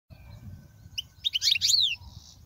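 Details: European goldfinch song used to teach young goldfinches: a short burst of bright twittering notes and a downslurred buzzy note after a quiet start, with low faint background hum.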